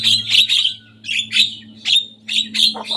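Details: Lively young Javan myna reproducing rivals' songs, giving bursts of grating, buzzy chatter in short phrases separated by brief pauses, with a faint steady low hum behind.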